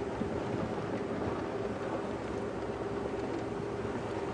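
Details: Continuous engine rumble and road noise from a moving vehicle during a sunset drive, with no animal voices.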